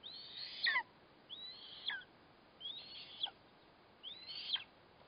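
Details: Nest scene from 4 August 2024: eastern imperial eagle feeding its chick on a black kite; four thin, high screeches, each with a rising start and a sudden downward drop, about one per second.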